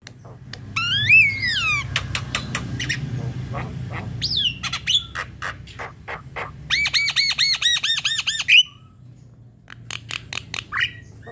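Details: Javan myna (jalak kebo) singing loudly as a singing lure in the 'manggut' then long 'ngerol' style: a falling whistle, spaced dry clicks, swooping whistles, then a quick chain of arched ringing notes and a final upslurred whistle.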